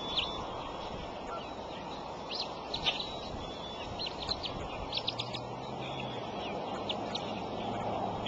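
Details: At a Decorah bald eagle nest on an April morning, the mother feeds her eaglets. Scattered sharp high chirps and short peeps come in irregular bunches over constant rushing background noise.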